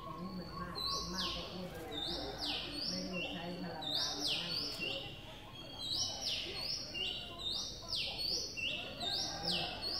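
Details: Streak-eared Bulbul nestlings, two days old, in Ubon Ratchathani, Thailand, on 4 April 2023: several overlapping voices giving thin, high chirps that sweep sharply downward, repeated rapidly, over a low murmur.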